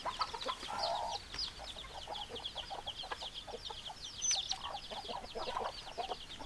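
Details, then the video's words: Flock of chickens, hens with roosters present, giving quick overlapping clucks beneath a steady wash of thin high peeps, one broader low squawk near the start. "Chicken Sounds Noises Hens Clucking Roosters Crowing"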